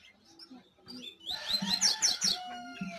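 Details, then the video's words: A double-collared seedeater bursts into loud, high song after a quiet start: quick slurred whistles and chirps tumbling together, with faint low knocks beneath. "Canto de coleiro"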